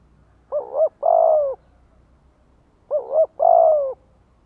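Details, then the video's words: Spotted dove calling as a lure for wild doves: two phrases, each a short double-humped hoot then a longer smooth coo, spaced about two and a half seconds apart in a quiet setting. "Tiếng chim cu gáy kích mồi cực chuẩn - Bổi nghe là gáy theo"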